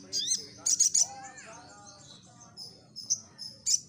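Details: Lure song of a Crimson Sunbird: three quick, piercing high chips, a descending slurred whistle, then widely spaced short high notes over faint background noise.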